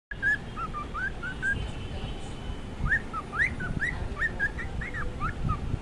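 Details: Pet cockatiel in the morning giving short whistled notes that slide and bend, rising and falling, in two bursts split by a pause of about a second, over a steady low background rumble.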